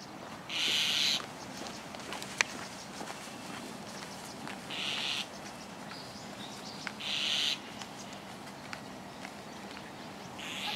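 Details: White-cheeked starling at Higashi-Ayase Park on 28 May 2020, calling over and over while holding a lizard in its beak. Four harsh, raspy bursts come roughly every two to three seconds, with scattered sharp clicks between them.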